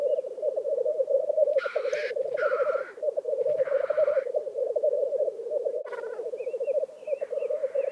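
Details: Displaying black grouse at their lek in Vinje, Telemark, Norway. Steady rolling, dove-like bubbling fills the whole recording, with three harsh hissing calls early on and faint thin whistles near the end.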